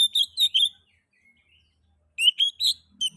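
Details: Oriental magpie-robin (kacer) lure song for prompting other magpie-robins to sing: a few bright chirps and a falling whistle, quiet thin note, then another quick series of sharp chirps.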